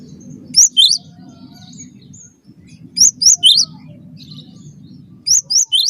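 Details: Cinereous tit song used as a master recording for training birds: high, sharp three-note chirped phrases repeated about every two and a half seconds, with a low steady hum underneath.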